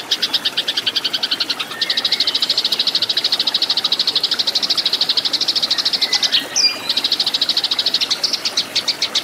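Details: Eurasian tree sparrow fighting song used to train cage birds: a steady, fast run of high, clipped chirps, about three per second, with a short break near the start and a higher squeaky note near the end.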